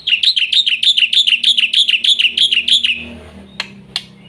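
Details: Black-winged myna song for training young mynas, a rapid, regular series of about eleven ringing chirps over three seconds, fading out, followed by a few sharp isolated clicks.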